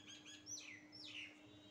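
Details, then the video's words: Pet parrot giving two loud descending whistled calls, each sweeping down from high to mid pitch, the second slightly longer, with a steady low hum indoors. "parrot natural sound"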